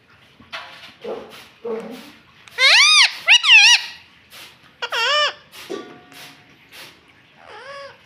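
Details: Green pet parrot that talks and says "mummy": quiet squeaks, then two loud rising-falling harmonic squawks mid-clip, another sharp call later, and a soft wavering note at the end.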